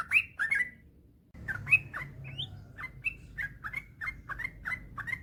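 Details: Yellow-vented bulbul singing in the long, continuous 'gacor ropel panjang' style, used as a master recording to spur other bulbuls to sing. Bubbly, warbled notes come in a quick run, stop for about half a second, then resume in a steady chatter.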